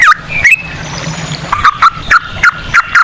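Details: Yellow-vented bulbul giving short, lower chirped notes repeated about every third of a second, part of a 'ropel' lure song in Straw-headed Bulbul style, over a faint hiss.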